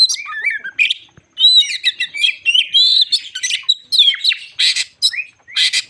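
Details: White-crowned shama in full song as a lure to rouse other shamas: rapid medley of clear rising and falling whistles mixed with short harsh buzzy bursts, with brief pauses between phrases.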